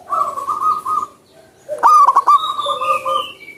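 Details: Wild zebra dove singing vigorously. A rapid run of pulsed, rolling coo notes rises out of steady background birdsong, with brighter whistled notes from other birds after it.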